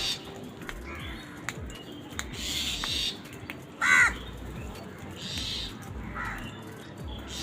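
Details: Angry crows fighting over food: one short, rasping caw stands out, followed a couple of seconds later by a fainter second call, over constant low rumbling noise.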